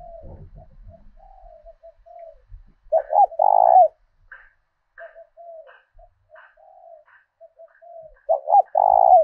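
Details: Decoy spotted dove kept for luring wild birds, singing the southern 'thổ đồng' style: soft scattered cooing notes, then a loud throaty coo phrase, more quiet notes and a second strong phrase closing out the recording.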